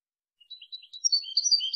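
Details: European goldfinch song recording for tutoring young birds, high-quality recording: a short run of bright chirps and twitters starting after a brief silence, building into a quicker, louder twittering phrase.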